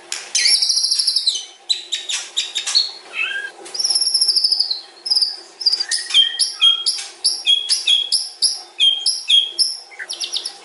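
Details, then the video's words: Murai batu, the white-rumped shama, sings a dense, rapid medley of its long fill song: rattling trills, high slurred whistles, clicks and quick stepped notes pour out almost without a break. "MURAI BATU PASTOL MUNTAH ISIAN PANJANG"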